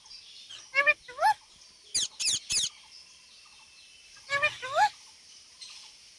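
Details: Indian parrot, a rose-ringed parakeet, calling and talking: scattered harsh squawks and short wavering tonal notes in two bursts, separated by quieter gaps with faint background hiss.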